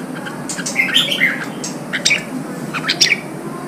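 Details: Red-whiskered bulbul song used to stimulate newly caught birds and train them for singing contests: short chirps and bright whistled notes scattered over the clip, with sharper upslurred whistles near the start and near three seconds.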